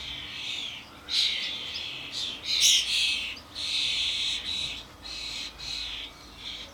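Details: Common starlings, adults with their fledglings, at a garden bird feeder with suet blocks during a noisy commotion of many birds; harsh, hissing, buzzy calls run almost continuously, swelling into louder rasping bursts roughly every second, recorded on a camcorder.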